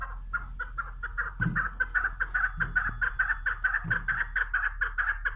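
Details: Female chukar partridge calling a steady series of clipped, cackling chuk notes, roughly two per second, mid-pitched and evenly paced, with a few low thumps and handling noises underneath.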